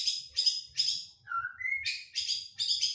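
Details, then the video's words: White-rumped shama song used as a lure to make a shama sing: bright, dense bursts of high notes alternating with a clear, lower whistled phrase that rises in steps, bursts repeating roughly every half second. "Mancing suara burung murai batu"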